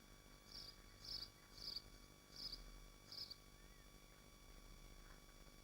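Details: Nesting swifts in Machynlleth, Dyfi Biosphere, livestreamed from the nest: five high, scratchy bursts at roughly 0.6-second intervals, then quiet hum only.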